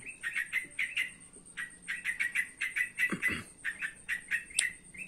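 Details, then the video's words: Trotokan chattering at dusk, busy runs of sharp, short notes repeated rapidly with brief pauses, a soft thud near the middle and a thin steady whine behind. "burung Trotokan nrotok sore sore"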